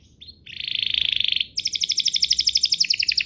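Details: Canary song played to get other canaries singing in reply: a dense, buzzy rolling trill held for about a second, followed by a quick pulsed trill of repeated bright notes.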